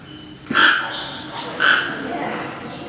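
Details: Toco toucan, one of two birds on show in the tropical bird house of Maruyama Zoo, Sapporo, Hokkaido, Japan, filmed 17 March 2013; two loud, harsh, yelping croaks about one second apart over a soft indoor background.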